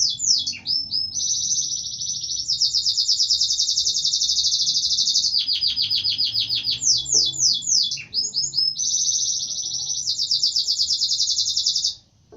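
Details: Canary in full song, alternating long rapid high rolling trills with bursts of quick downward-sweeping chirps and brief pauses, loud and continuous over about twelve seconds.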